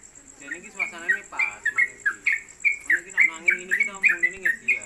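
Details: Yellow-vented Bulbul (trucuk) kept in a hanging cage, a newcomer singing in the 'konslet kemedol' style and fit for tutoring: rapid chirped notes about four a second, with a person talking quietly underneath.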